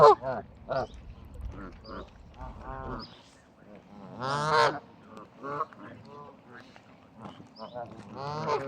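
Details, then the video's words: Flock of geese at Bramhall, England, calling with repeated short nasal honks, one louder drawn-out honk midway, and several overlapping voices. "Goose birds"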